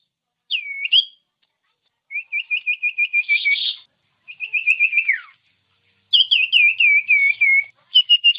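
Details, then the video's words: Song of the common iora, meant to goad reluctant birds to sing: a looping whistle, then two level trills of quick repeated notes, the second ending in a downward slur, and a bouncing series of rolled notes. "Masteran Burung Cipow/Sirtu||Bikin Sirtu Emosi"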